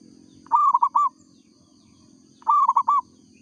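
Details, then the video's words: Local zebra dove singing eagerly: two cooing phrases about two seconds apart, each a quick chain of three or four bubbling, rounded notes, with a low droning hum between them. "perkutut lokal gacor suara asli bikin ribut sekampung"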